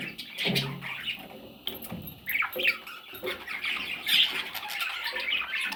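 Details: Rasping, broken squawks from parrot chicks rise and fall in loudness, with a few short clicks and soft knocks between the calls.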